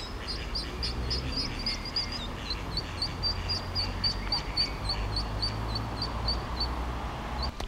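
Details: Mallard (Anas platyrhynchos) ducklings in Endcliffe Park, Sheffield, give rapid, high, thin peeps, several each second, as drakes attack and try to drown their mother; wind and water rumble behind.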